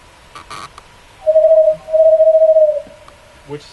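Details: Western Screech-Owl gives a low, hollow double trill: a short burst of rapid toots, then a longer even trill on the same pitch, preceded by a few faint clicks.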